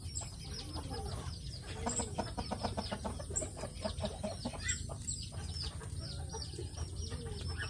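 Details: Brahma chickens, a large heavy-feathered breed from India, caught on a CCTV camera in their coop: soft low clucks rising and falling among dense pecking and scratching clicks, over a steady low hum.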